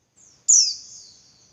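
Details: A female Javan white-eye's call, given to provoke males to sing: a faint thin lead-in, then a loud piercing high note sliding downward and thinning into a drawn-out whistle.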